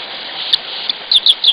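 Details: White-throated dipper singing at sunrise on 10 April in the Ellerbach valley, Eifel, Germany: a few brief, high, slightly falling notes in quick succession over steady rushing stream water.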